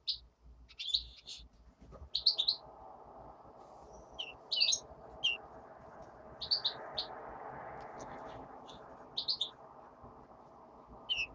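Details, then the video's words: A hand-tame European greenfinch chick gives short, bright twittering chirps in clusters every second or so, over a steady low indoor hum. "Зеленушка. Ручной птенец"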